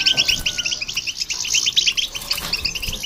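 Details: Goldfinch chorus meant to rouse other birds, a goldfinch hybrid among the singers; quieter, evenly repeated chirps and twittering notes in quick succession, a faint drawn-out whistle early on.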